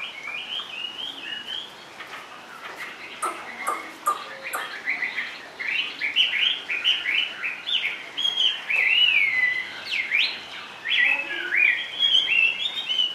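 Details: Varied whistled song from a caged Chinese hwamei singing low on the perch: quick rising and falling slurred notes, short trills and sharp upward sweeps in a rich, restless stream, with faint clicks behind.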